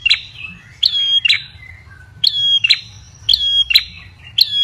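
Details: Ashy tailorbird call used as a lure: sharp, bright notes given singly and in quick pairs, several times across about five seconds, with faint low rumbling underneath.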